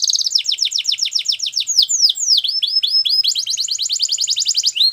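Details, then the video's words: Belgian canary in full song, a fast sequence of descending whistled notes, a few deeper swooping slurs, then a quick bright rolling trill, steady and loud throughout. "Canary Singing | Belgian Canary"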